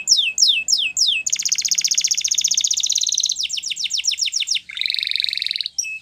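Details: Flute-style training song of a Russian canary: a few falling whistled swoops, a long rapid buzzing trill, a series of quick descending notes, then another dense buzzy trill before a final clipped note.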